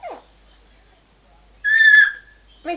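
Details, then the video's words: Pet eclectus parrot, excited and dancing, saying 'crazy', blowing raspberries and uttering other words indoors; one drawn-out, harsh, voice-like utterance of about half a second is heard, bracketed by short bits of sound before and after. "my eclectus parrot saying crazy and dancing"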